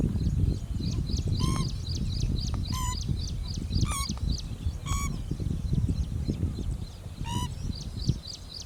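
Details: A pheasant-tailed jacana foraging in a lake: loud nasal calls with a falling tail, given about every second or so, over steady rapid high chirping from other birds and heavy low background noise.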